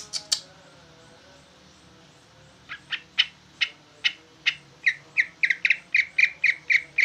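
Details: Caged jumbo-size greater green leafbird singing bulbul-style: a few sharp clicks, then a quickening train of short, piercing notes that turn into clipped whistles toward the end.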